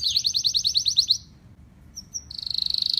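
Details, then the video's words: Canary song meant for training birds at home to sing: a fast series of about ten sharp, repeated high notes, a short pause with two thin whistles, then a rapid, even, buzzy trill. "kicau burung kenari"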